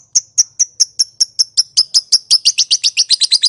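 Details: Lovebird giving a call meant to prompt other lovebirds to answer: sharp high chirps repeated steadily, speeding up from about four to six per second into a dense rattling chatter.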